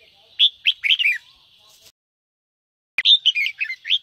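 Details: Red-whiskered bulbul singing in the 'ché' style to prompt other birds to sing: a few quick chirpy warbles, a pause of over a second, then a dense run of sweet rising and falling notes.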